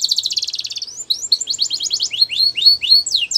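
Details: Singing male canary opens with a rapid buzzy trill, then shifts into quick, descending whistled sweeps delivered several per second.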